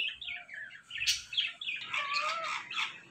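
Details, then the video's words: Ringneck parrot giving a rapid series of scratchy, high chirps and squawks, about three per second, loudest in the second half, over a noisy background. "The Best Talking Compilation Of Ringneck Parrots"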